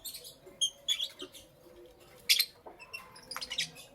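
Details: Morning chirping of lovebirds, kept as pets: clusters of bright, high squeaky chirps, a loud burst near the middle, then a run of rapid chattering notes at the end.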